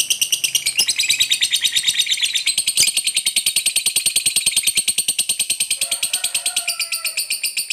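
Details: Fighter lovebird, lively and chattering in long ngekek that prompts silent lovebirds to join: a quick, somewhat uneven stream of harsh ticking notes, with a soft low tonal hum appearing near the end.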